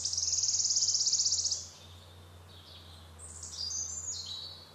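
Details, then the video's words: A wood warbler gives a high, shivering trill lasting about a second and a half, followed by fainter, thin high notes over a low steady hum. "Wood Warbler"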